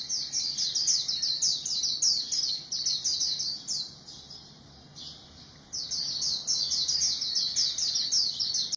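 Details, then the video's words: A white-eye sings a rapid, high, tinkling twitter in long unbroken runs, broken by one brief pause midway. "Zosteropidae bird singing, good voice"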